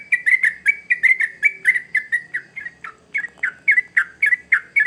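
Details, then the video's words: {'caption': 'Sooty-headed bulbul singing vigorously, used as a lure for young birds: quick repeated chirpy notes in an even, bubbly stream, some notes dropping lower midway, over faint background hum.'} "Trucukan Gacor ngamuk Pancingan Terbaik Untuk Burung Paud"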